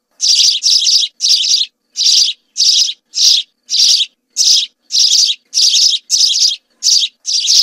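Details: House sparrows in a group giving clear, insistent chirps, each a short harsh burst, repeated about every half second in a steady run without other sounds.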